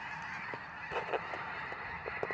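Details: Snow geese calling as a flock, a dense honking chorus punctuated by several short, louder individual yelps from nearer birds.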